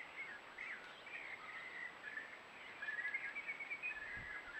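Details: A caramel-coloured Spiny-cheeked Honeyeater with unusually light, affected plumage at Patchewollock Conservation Reserve gives soft, liquid gurgling and warbled phrases that run almost without a break, over a faint steady high whine.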